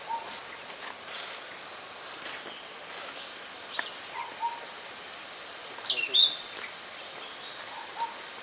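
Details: Indian blue robin at Nandi Hills giving a few thin, high whistles, then a quick two-second burst of sharp, high twittering notes; a lower whistle from another bird sounds now and then.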